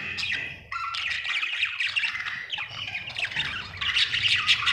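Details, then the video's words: Happy pet budgerigar chirping: a dense stream of rapid, scratchy warbles and squawky chirps packed together in the upper range, with one brief pause near the start. "Happy budgie chirping sound"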